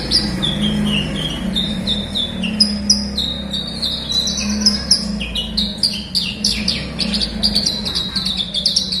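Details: Horsfield's bush lark singing to coax silent birds: a run of descending whistled notes, then dense, rapid high chirps and trills in the latter half, with a low hum throughout.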